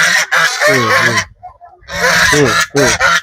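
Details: Hungry geese on a village farm, gathered at evening feeding time, give loud, harsh, rapidly repeated honks in two dense bursts separated by a short quiet gap.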